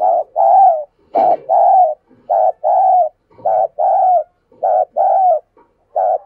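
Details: Decoy dove steadily calling in wild birds, repeating a two-part coo about once a second, a short note followed by a longer wavering one, with small clicks between.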